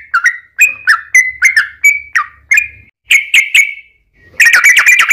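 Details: Sooty-headed bulbul song meant as a lure for other bulbuls: bubbly whistled notes in a fast run, a short pause, a few louder phrases, then a dense burst of overlapping chatter.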